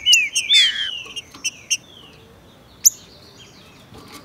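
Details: Green-winged saltator (Saltator similis), a territorial songbird, singing hard in tournament and breeding season, giving loud, clear whistled phrases that slur downward, then a few sharp chips and a bright high note, with a faint background hiss.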